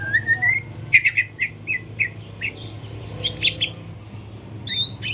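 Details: Young white-rumped shama practising morning song: a rising whistle, a row of about six evenly spaced clear notes, then a tangle of high twittering chirps, with a low hum throughout.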